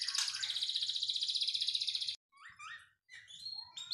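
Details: Belgian canary master (tutor) song: a fast, buzzy high trill for two seconds, then short rising and falling whistled notes, with a faint low room hum beneath.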